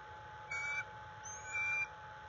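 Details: Wild bald eagle at its nest at the National Conservation Training Center, morning of February 1, 2022, stressed by a threat near the nest while a second adult sits nearby. Two short, harsh, high squealing calls about a second apart over a steady electrical hum.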